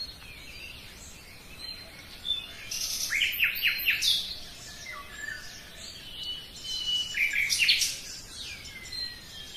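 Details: Common nightingale in a forest, singing between quiet gaps: clusters of sharp clicking notes in fast sequence, then thin whistles and another dense burst of staccato notes.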